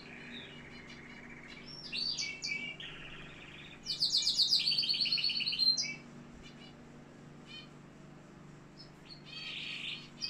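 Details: Canary in Algeria singing in bursts: a buzzy trill, then a loud, fast, high rattling trill of repeated notes, followed by quieter pauses and a final short trilled phrase, over a low steady hum.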